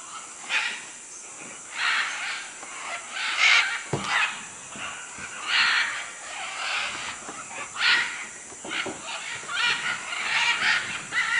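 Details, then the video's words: Macaws in Manu, Peru, giving harsh, raspy squawks in irregular bursts through the clip, several overlapping, with a steady high insect drone running underneath. "Guacamayos Manu Perú"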